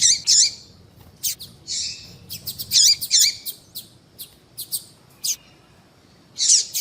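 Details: High chirping of a female double-collared seedeater, played to prompt a male to sing: paired sharp notes with falling tails, a short buzzy note, then scattered quick ticks and a final loud chirp.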